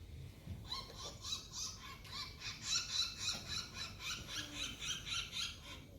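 Asian Glossy Starling giving rasping, grating calls, several each second, with many tones stacked into a harsh, noisy texture over a low background rumble.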